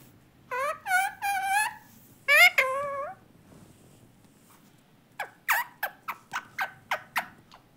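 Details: Pet parrot talking indoors in a small room: several harmonic, speech-like wavering calls in a row, a pause, then a quick series of sharp clicking chirps.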